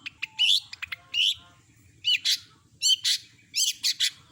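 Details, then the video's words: Long-tailed shrike, called cendet, singing mimicked phrases: sharp ticks followed by rich buzzy whistles arriving in irregular bursts of one to three notes, roughly once per second. "Masteran burung CENDET gacor isian lengkap kompilasi jos suara jernih"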